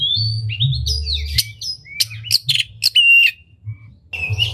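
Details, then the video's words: Oriental magpie-robin, a lure song with a unique melody, singing while opening its tail to rouse other magpie-robins. Varied sweet whistles, rising and falling slurs and sharp chips in quick phrases, with a brief pause before the final notes. "Pancingan Kacer Gacor Buka Ekor Lagu Unik! Bagus Buat Menaikan Emosi Kacer Lain Agar Gacor"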